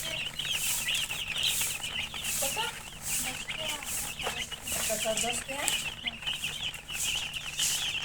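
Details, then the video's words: Shrill, rapid peeps from a group of domestic chicks run throughout, thick and unbroken, while people talk intermittently in the background. "Murgi chicks Chirping sounds"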